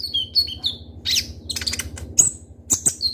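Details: Van Hasselt's sunbird (konin) kept as a caged singer and used to prompt other birds, opening with thin descending whistles, then a buzzy squeak and scattered sharp high clicks and tweets, over a steady low hum.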